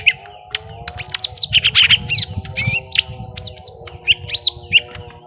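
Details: Lesser green leafbirds, young and in a drawn-out fight, pour out high twisting chirps and squeals, with a constant thin high whine and low rumble underneath.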